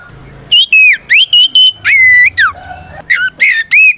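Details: Fighting song of an oriental magpie-robin, used to provoke other birds: strong whistled notes with swooping rises and drops, a longer steady whistle in the middle, and a low murmuring hum at the start.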